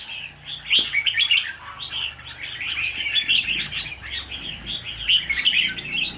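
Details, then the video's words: Red-whiskered bulbul lure bird in Hòa Bình, Vietnam, recorded 19 February 2023, singing lively, liquid chirps and warbled whistles in quick, jumbled bursts, with overlapping chatter suggesting more than one bird nearby. "Chào Mào Mồi Xoè"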